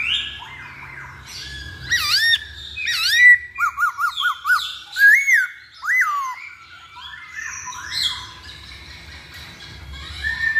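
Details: Masked laughingthrush song used as a lure: loud varied whistles, rising and falling slurred notes around mid pitch, a quick run of four repeated dipping notes, then softer chattering phrases.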